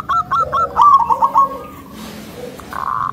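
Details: Local Indonesian zebra dove with a thick, rhythmic song meant to stir up rival doves; a few short coos lead into a rapid rolling trill that fades, then a brief muffled note near the end.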